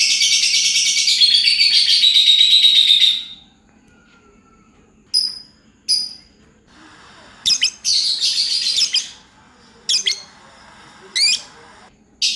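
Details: Pet lovebird in ngacor singing: a three-second burst of dense high chattering trill, then silence broken by short sharp chirps and brief rattling bursts spaced a second or two apart.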